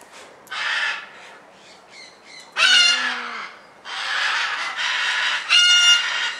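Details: Captive red-crowned parakeet (Cyanoramphus novaezelandiae) at an aviary in Alphen aan de Rijn, Netherlands, giving harsh, scratchy chattering bursts broken by a couple of louder, nasal, drawn-out squawks.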